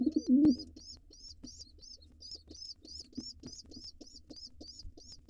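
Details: Wild pigeon nestlings in a nest box being taken over by an intruder pair. A brief deep coo opens the clip, then rapid high piping peeps run on evenly for several seconds.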